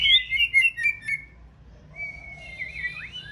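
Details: Song of a female white-rumped shama sung to rouse a male, preparing to breed after her moult. Loud quick chirped notes open the clip, then a pause, then a long thin whistle and twisting slurs.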